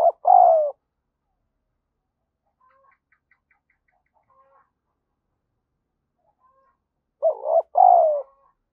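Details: Spotted dove used as a calling lure: two coo phrases about seven seconds apart, each a quick stuttered double note leading into a longer, falling, throaty coo, with faint soft sounds between.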